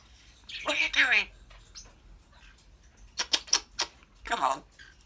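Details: Talking African grey parrot kept as a pet, producing a speech-like word, then a run of quick clicks and a final drawn-out syllable, in a quiet indoor setting.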